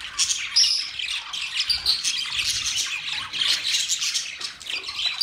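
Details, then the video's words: Budgies, Australian parrots, chattering: constant high-pitched warbling and chirping from many birds at once, with brief squeaks standing out. "Beautiful Australian parrot Budgies chirping sound Parrot sounds"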